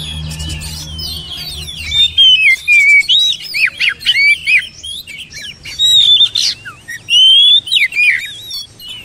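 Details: Oriental magpie-robin in rich, fast song: loud bursts of mixed whistles, squeaky chirps and harsh squawky notes in rapid phrases separated by brief pauses.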